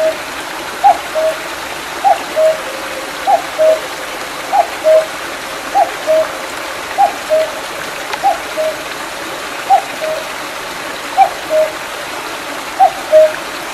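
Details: After rain in July 2019, a cuckoo calls by a small mountain stream near Mandeok-dong: about eleven evenly spaced two-note cu-coo phrases, a higher note dropping to a lower one, over constant babbling water.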